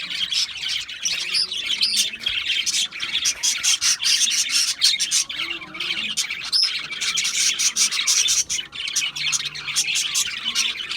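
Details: Budgies keep up a busy chorus of quick high chirps, warbles and harsh squawks, overlapping without a break, with some short whistled notes rising above the chatter.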